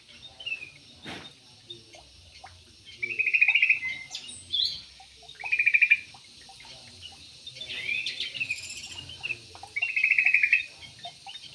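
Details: Yellow-vented bulbul in an aviary repeating short burry, warbled phrases about every two to three seconds, four main bursts in total. Thin higher chirps and faint insect-like hum are in the background.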